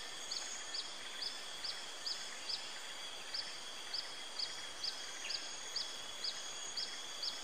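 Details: Tiger Shrike recorded 5 May 2017, giving short, high, clipped notes about twice a second in a steady series, over a constant high insect-like hiss and background noise.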